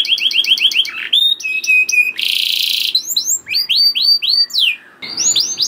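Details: Canary song used as a lure to prompt other canaries to sing: varied phrases of rapid repeated chirps, rising and falling whistled slurs, a loud buzzy burst in the middle, and a brief pause near the end.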